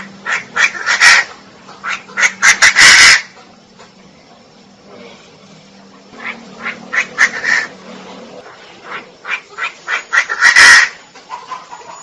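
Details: Repeated bouts from a female Chinese francolin: rapid runs of harsh, chattering notes rising to loud, explosive bursts, with quieter pauses between bouts and a low steady hum in the background.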